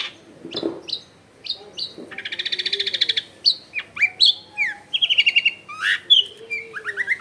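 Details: Long-tailed shrike in varied song meant to make silent shrikes answer; clipped chirps, a buzzy rattling trill, then mixed slurred whistles and quick repeated notes, with faint background noise.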